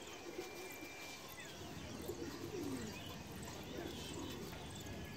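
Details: Pigeons kept at a rooftop farm in Bangladesh: soft, low cooing notes murmuring through a hiss of background noise, with faint chirps from other birds above.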